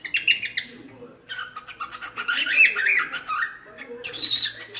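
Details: Cockatiel song of busy, chattering warbles and scratchy chirps, with a soft low hum running underneath and a brighter squeaky burst at the end.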